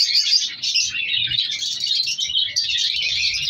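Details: A captive breeding colony of color African lovebirds with young being separated. Continuous high, raspy chirping from numerous birds blends into a steady chattering din.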